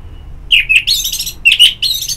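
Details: Orange-headed thrush singing, from therapy audio meant to stimulate singing: a brief burst of sharp, slurred whistled notes and harsher chirps within about one and a half seconds, with a faint low hum behind.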